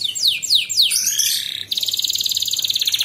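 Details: Canary master recording for tutoring young birds, in besetan and ngepik styles. Three sharp descending slurred notes lead into a dense buzzy phrase, then a fast, even, high-pitched rolling trill.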